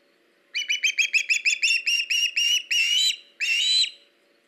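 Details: Osprey at a nest on a live nest camera in late August, with a fish being delivered; a rapid run of short whistled chirps that slows into longer, drawn-out whistled notes, over a low steady hum.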